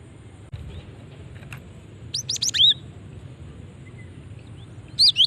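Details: Female cinereous tit luring call: after a quiet start, a tight run of four or five high sweeping chirps, silence, then one last bright rising note near the end.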